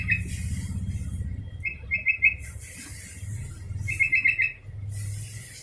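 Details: Sooty-headed bulbul calling, with two clear phrases of quick bubbly whistled notes. Low humming, rushing noise and occasional hissy bursts fill the background.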